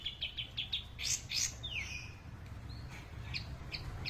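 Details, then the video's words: Long-tailed shrike singing vigorously: a quick series of five sharp, high chips, then louder scratchy notes and a falling squeaky slur, followed by thin scattered chirps over a steady low rumbling background. "pented / toed gacor"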